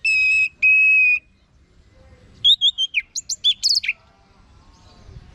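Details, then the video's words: Orange-headed thrush singing two long, steady whistles, then a fast run of varied slurred and high piercing notes, falling silent for the last second or so. "Guru Vokal ANIS MERAH Agar Selalu Ikut Nyaut Ngeplong di Rumah"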